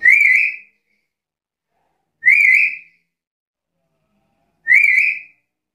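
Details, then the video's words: Black-capped lory in lively, chatty voice, calls for prompting and tutoring other birds: three loud rising whistles, each about half a second, repeated every two and a half seconds in silence. "Suara burung nuri kepala hitam gacor isian komplit"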